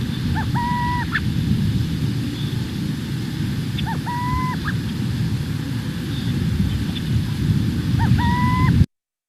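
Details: Burrowing Owl sitting on the ground in grassland gives its hooting call, a soft, cuckoo-like two-note coo, a short note then a longer one, repeated about every four seconds over a steady low rumble.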